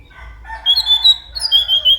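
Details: Orange-headed thrush giving sustained clear whistled notes with fuller lower tones beneath them, in two linked phrases.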